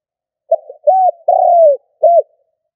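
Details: Decoy spotted dove in the 'cà lăm' stuttering coo: a short opening note with a soft trailing murmur, a level arched coo, a long descending coo and a brief arched final coo, delivered once against silence.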